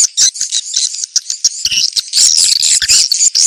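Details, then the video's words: Swiftlet calling played to attract the birds and bring them to gather: rapid, overlapping high-pitched chirps and buzzy twitters, irregularly spaced, growing denser toward the end. "Suara ceklok burung walet"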